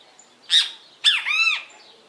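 A great kiskadee gives one loud, harsh, three-part phrase: a sharp opening note, a brief pause, then a falling note into a drawn-out, arched, buzzy ending. The background is quiet.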